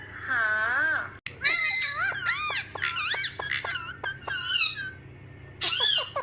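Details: Parrot talking nonstop: a run of rapid, chattering speech-like syllables and swooping harmonic whistles, one sharp click near the start, ending with a loud squeaky phrase against faint room hum.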